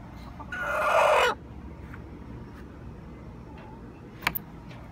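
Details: A pet hen in the nesting box lets out one loud, harsh, drawn-out squawk lasting under a second, then quiet with a faint click.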